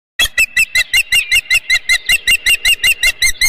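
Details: Osprey at its nest on Dunrovin Ranch during a fish delivery, 23 April 2018 at 9:38 am: a fast series of sharp, whistled chirps, about five each second, steady and evenly spaced throughout.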